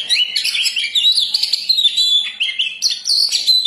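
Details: Oriental magpie-robin in full, persistent song, used as a lure for birds: a dense, unbroken run of bright whistled and scratchy phrases, rapidly changing pitch, with sharp upward sweeps and chattering notes near the end.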